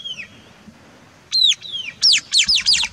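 White-capped Tanager giving loud, shrill, down-slurred calls: a faint one, then about seven sharp screechy notes, the last four in a quick rhythmic burst.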